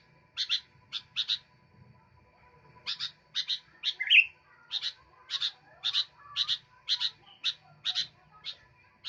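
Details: Sooty-headed bulbul in vigorous song, giving a long series of sharp doubled chirps about twice a second, broken once by a loud slurred whistle; a short pause near the start, little other sound.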